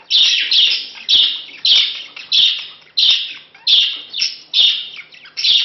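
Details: Budgerigar courtship before mating, a male wooing a female he met two months ago; a steady run of nine loud, rasping chirps, each starting sharply and tailing off, about every half second.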